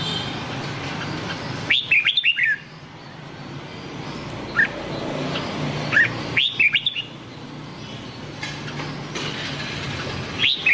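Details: Red-whiskered bulbul (white-cheeked type) singing in the Nam Đông song style, used for training other bulbuls: short bright whistled phrases of rising and falling notes, heard four times at uneven intervals over a low steady background hum.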